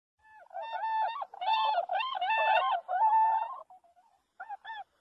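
A swan gives a run of loud, nasal, honking calls with a bugle-like ring, coming in rapid bursts for about three seconds, then two short final notes.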